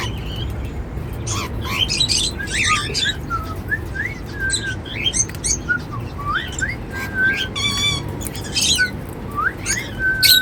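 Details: Cockatiels, described as happy, singing while eating seeds: a run of short, clear whistled notes, many sliding upward or downward, mixed with brief high chirps, over a steady low background hum.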